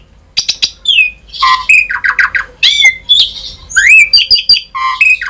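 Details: Asian pied starling in full, varied 'gacor full isian' song, used to stir other starlings into singing: harsh squawks, buzzy bursts and sliding whistles tumble rapidly one after another, with short, sharp clicks between phrases.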